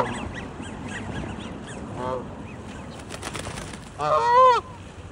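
A Canada goose gives one loud, nasal honk near the end, with softer honking and murmuring from other geese before it.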